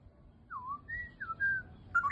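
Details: Straw-headed bulbul giving a few clear, drawn-out whistled notes, some sliding down, others held level, spaced apart over a soft background hiss.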